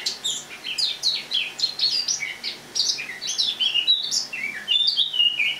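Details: Captive Eurasian blackcap giving autumn song on the morning of 1 October 2017 indoors: rapid jumbled chirps at first, then clearer, louder whistled slurs that drop and rise toward the end.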